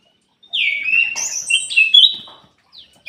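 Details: Golden-fronted leafbird giving a single rich song phrase: a clear downslurred whistle that runs into high, tinkling, buzzy notes. The background is quiet.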